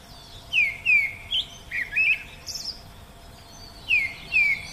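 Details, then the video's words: Oriental magpie-robin singing in the wild: clear whistled notes sliding downward, some higher sweet notes in between, delivered in short phrases separated by brief pauses, with no other sounds apparent. "Nghe Tiếng Hót Của Chim Chích Chòe Ngoài Thiên Nhiên"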